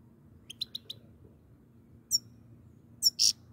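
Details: Grey-crowned goldfinch singing: a quick run of four thin high chirps, then after a pause two brighter, buzzier high notes.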